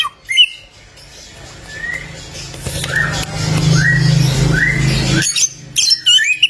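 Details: Black-naped oriole (Oriolus chinensis) giving short rising whistled notes about once a second, framed by harsher squawks, over a low steady hum.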